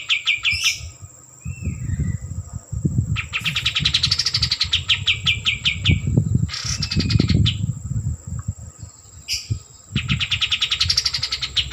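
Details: Repeated trilled phrases from a white-eared bulbul, called kapas tembak: quick strings of high staccato notes that swell and fade, broken by pauses and accompanied by low thumping and rumbling sounds.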